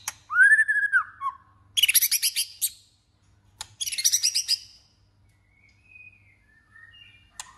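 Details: White-rumped shama in competitive song for voice training: a loud arched whistle, then two bursts of rapid harsh chattering notes separated by a click, ending in soft high whistles.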